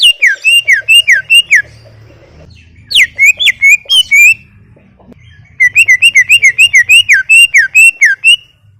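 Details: Greater green leafbird in full song, loud bursts of rapid looping whistled notes, wavering up and down, repeated about four per second in runs of five to twelve, separated by brief pauses.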